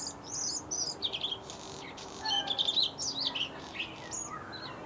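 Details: Bluethroat song: a rapid, varied run of high twittering, tinkling and buzzy phrases, some very high and sharp, others slurred lower, delivered in bursts with short pauses against a soft steady hum.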